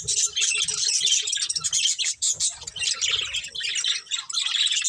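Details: Steady, bright chatter from a breeding pair of budgerigars: fast scratchy warbling mixed with quick chirps, no real pauses, a few faint soft taps beneath.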